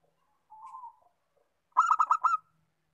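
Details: A local zebra dove, used to encourage singing, opens with a soft drawn-out low coo, then a loud rattle of four or five quick, bright cooing notes.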